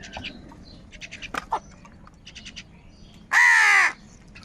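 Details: Morning crows squabbling over food. A single strong, hoarse caw rises and holds for about half a second toward the end, while clusters of quick high chirps from smaller birds fill the background.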